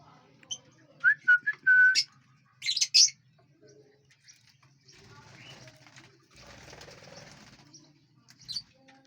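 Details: Lovebirds feeding and flying inside a large aviary: a few short whistled notes, then loud harsh squeaky chirps in a brief cluster, followed by rustling and fluttering wings.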